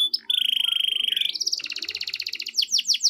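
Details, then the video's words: Vigorous canary song meant to coax reluctant canaries into singing: a sustained buzzy trill that jumps higher into a fast rattling roll, ending in quick downward-sweeping whistled notes. "SUARA BURUNG KENARI GACOR DOR"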